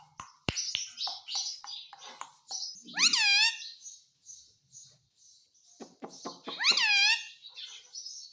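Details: Indian ringneck parakeet said to talk in Hindi with words like "mummy" and "mitthu", indoors: two loud nasal, harmonic, rising-then-falling voiced phrases, with soft clicks and scratchy chatter between them.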